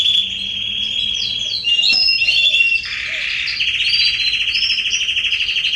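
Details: Canaries singing in a garden in September 2020; a continuous high rolling trill that shifts pitch, with fast buzzy rattles, short whistled slurs and a steady pulsed trill taking over near the end.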